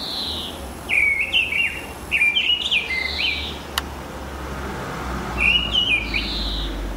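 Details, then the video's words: Mistle thrush singing on a spring morning, March or April 2010: short loud whistled phrases around mid-high pitch, delivered in bursts with brief pauses, a steady low background hum throughout. "Misteldrossel mit Gesang"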